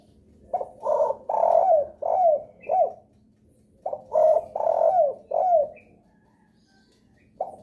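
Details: Spotted dove calling as a lure to prompt other doves to sing; low, hollow coos in two matching phrases of five notes, the third note longest, the last slurring downward, with a new phrase beginning at the end.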